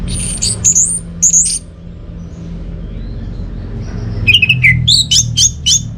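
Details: High thin notes first, then a long quiet gap before an orange-headed thrush resumes with falling whistles and evenly spaced sharp chips; recorded in North Bali with low hum throughout.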